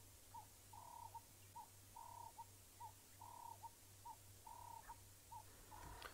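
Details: A Red-crested Korhaan at the edge of grass at sunrise on 2 August 2017, Djuma Game Reserve, gives clear mid-pitched whistles in short-long-short groups about every second, over a steady low engine hum.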